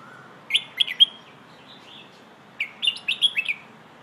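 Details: Pleng Ho style song of a red-whiskered bulbul, meant to tutor young birds: a short three-note whistled phrase, soft warbles, then a longer run of six ringing, choppy whistles.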